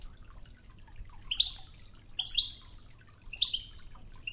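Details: European goldfinch in the Wedani song style, from a training tape, with river water added: three short, bright, upward-swept twittering notes about a second apart over a faint steady water murmur.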